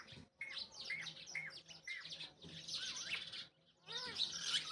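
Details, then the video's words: Talking rose-ringed parakeet giving a run of short, bright chirps and curved whistled notes, many rising then falling, in quick series, with a brief pause midway and a louder, harmonic, voice-like burst near the end. "talking parrot orignal voice"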